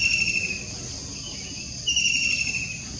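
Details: White-throated Kingfisher recorded 21 June 2021, giving a shrill, high, rapid trill that holds steady and fades, then bursts out again after a short break, over a faint low background rumble.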